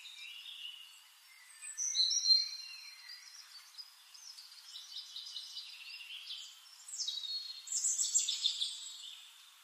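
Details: Paradise tanager (Tangara chilensis) calling with thin, high-pitched chips and sharp twitters in loose bursts, loudest near the start and end, over a faint hiss.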